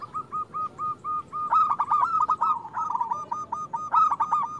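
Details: Local zebra dove, a loud, actively singing bird used as a lure for reluctant doves, gives rapid stuttering coos near one pitch in a dense run of short bursts, then rolling trilled coo phrases.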